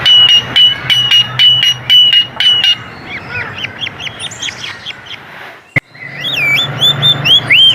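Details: Coleto, known locally as kuling, a starling endemic to the Philippines: a run of sharp clicky notes with a steady high tone, about two per second, then quick upswept chirps and ringing, bending whistles, over a low steady hum.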